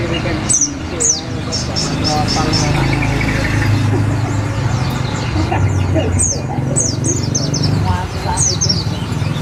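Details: Olive-backed sunbird singing as a tutor for white-eyes: scattered bursts of thin, high, quickly falling chirps spread through the recording, heard over loud low rumbling noise and talking.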